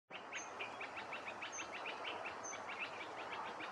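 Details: Red avadavats competing for food at Haiderpur wetlands, Uttar Pradesh, India, in December 2022, chatter in rapid, high, thin chirps, several birds calling at once in an overlapping stream, with higher squeaks and background hiss.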